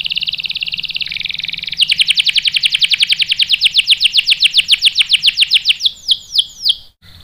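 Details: Canary singing gacor, answering a female used as bait: a buzzy two-part warble gives way to a long rapid roll of descending notes that gradually slow into wide, separate sweeping whistles.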